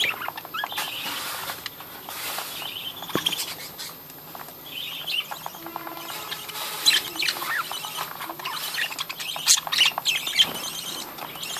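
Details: Captive breeding colony of many budgerigars: dense, continuous chirping and high twittering from overlapping birds, with sharp tweets and brief warbles layered throughout, plus faint low hum and occasional rustling.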